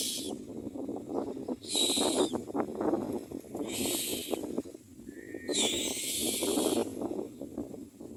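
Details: Common myna pair tending a nest and feeding their young; four rasping, hissy bursts over eight seconds, one with a brief thin whistle beneath, amid constant rustling and clicking.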